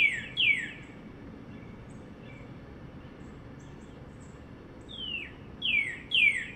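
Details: Northern cardinal on a wire on a sunny spring day in north central Florida, 2022: sharp downslurred whistled notes, two at the start, then a quiet pause, then a quick run of three near the end.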